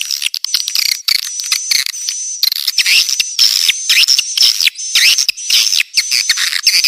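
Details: Swiftlet calls used as a clean lure sound to attract the birds: dense, continuous, high twittering chirps with a thin sustained whistle running through, rapid buzzy bursts and short gaps, no background noise.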